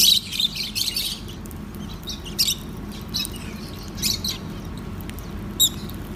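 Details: Pet lovebirds eating soft food: brief sharp high-pitched chirps and tweets come in separate bursts every second or so, with a low constant rumble underneath.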